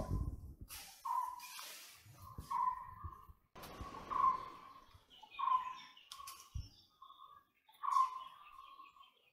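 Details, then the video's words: White-bellied woodpecker giving a series of about seven short, ringing notes at a steady mid pitch, spaced roughly a second apart. Bursts of broadband noise and low rumbles sound between the notes. "White-bellied Woodpecker"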